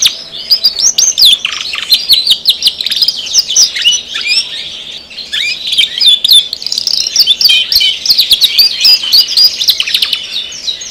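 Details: Gacor canary in full, continuous song: fast rolling trills and sweeping chirps packed closely together, steady and loud throughout with only short dips in volume.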